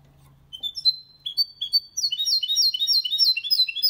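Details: Goldfinch × canary hybrid singing a clean song, used to stimulate males to sing and to teach young birds; thin whistled notes start slowly, then quicken into a dense run of rapid, slurred trills and twitters.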